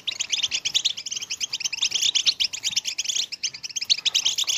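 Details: European goldfinch song in the styles called betbeta, tastasa and wrestling, used to stimulate late females for mating: a dense, fast, high twittering of buzzy and tinkling notes running without a break through the whole stretch.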